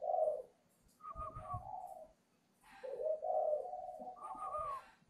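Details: Spotted dove with a newly broken voice, trained in Ba Vì, Hanoi, Vietnam: loud full cooing phrases, some opening with a higher falling whistle, delivered in two bursts with a quiet gap between.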